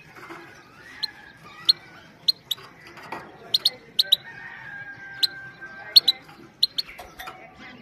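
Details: A female goldfinch's 'pit-pit' calls, used without excitement to stimulate males and train young birds, repeated as crisp high ticks roughly every half second to second, with faint soft twittering behind.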